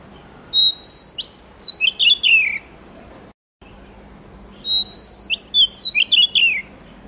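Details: Singing Oriental magpie-robin, locally murai kampung or kacer: two loud bursts of rapid, varied whistled notes and tumbling chirps, each about two seconds long, separated by a brief silent break.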